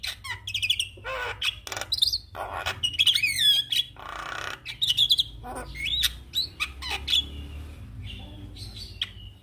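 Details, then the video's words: Javan myna stirred into song by a lure recording: dense sequence of grating squawks, clicks and looping whistled notes, loud and irregular, with brief pauses between bursts. "Burung Jalak Malas Bunyi Langsung Respon Dengan pancingan jalak Kebo"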